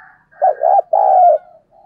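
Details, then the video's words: Spotted dove used as a decoy, calling to attract wild doves; a low wavering coo pair runs into a longer drawn-out coo, framed by soft murmuring notes at the start and end. "cu gáy mồi cây gáy gọi giọng chuẩn"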